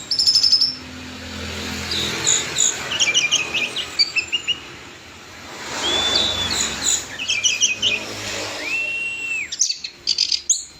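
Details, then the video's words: Clear, lively song of an orange-headed thrush: varied high whistles, quick chattering note clusters and a long slurred whistle, delivered in separate bursts with brief gaps between them. "Anis Merah Gacor Suara Plong"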